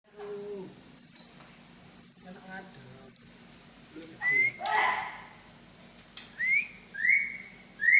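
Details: White-rumped shama of the Medan type showing its imitated repertoire: clear high whistles repeated about once a second, sliding downward, then a noisy burst and rising whistled notes, with a steady low hum behind.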